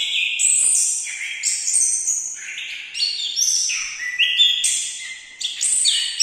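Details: An orange-headed thrush delivers a dense, unbroken medley of high whistled and chattering phrases, some rising and falling in quick steps, with a brief dip in volume near the midpoint before the loud varied singing resumes.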